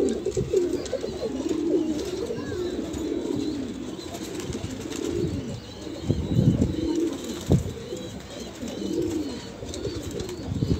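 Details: Kalsera Banarasi pigeons offered for sale at a pigeon market in Allahabad, India: low murmuring coos from several birds overlapping, with soft rustling and thumps in the background.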